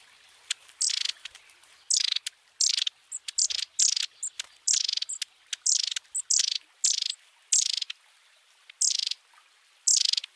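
A Long-tailed tit gives short, high, buzzy rolling trills, about one or two each second, over a quiet background.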